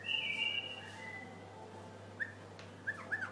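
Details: White-eared bulbul (Pycnonotus leucotis), known locally as the Hasawi bulbul, singing a long, level, high whistle, then three short, slurred fluty notes near the end, over a steady low hum.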